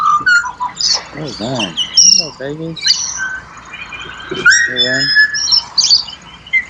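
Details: Pied butcherbird singing in Australia: clear fluted whistles near a steady mid pitch, mixed with repeated harsh, buzzy, chevron-shaped squawks and high chirps from several overlapping calls.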